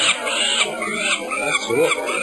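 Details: Falcon chick being banded in Harrisburg on 22 May 2008, likely female, gives harsh, raspy alarm screams in quick repeated bursts while being handled, upset and warning nestmates and parents; a man talks over them.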